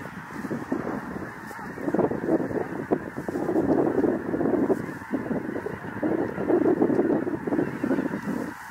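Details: Thousands of Snow Geese streaming in from the Arctic to land in an Illinois cornfield near the Indiana border; a roaring chorus of honks and barking yelps, swelling and fading in waves every couple of seconds.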